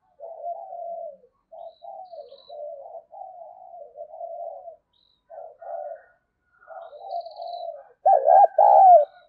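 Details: A female spotted dove coos to excite males. Low, muffled coo phrases repeat roughly twice a second over several seconds, ending in a louder, rolling, wavering coo.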